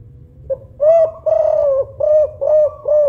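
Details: Spotted dove, 'kuk 5' Songgo Ratu type, loud-voiced bird kept for luring others: a faint lead-in note, then five or six deep, mellow coos, the second long and drawn out, each with a slight downward bend; steady low background hum.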